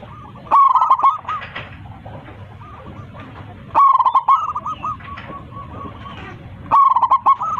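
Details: Local zebra dove calling to its flock with a strong voice. Three bursts of rapid coos, each followed by a softer trailing coo, recur roughly every three seconds.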